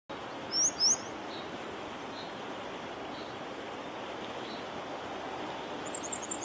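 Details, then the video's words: Grey wagtail song at Viersels Gebroekt on 2 April 2021: two sharp, high metallic notes early on, then a quick run of three more at the end, over a steady rushing background. "de zang van de grote gele kwikstaart"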